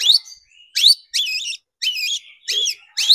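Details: Long-tailed shrike lure recording meant to stir shrikes into agitated singing: loud, sharp whistled notes sweeping upward, each followed by short wavering phrases, delivered in bursts about half a second apart with clean silent gaps.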